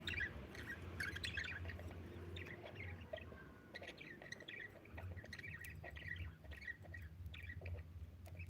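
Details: Budgerigar chirping: soft, rapid chattering chirps and short squeaky notes throughout, fairly quiet, over a steady low hum in the background.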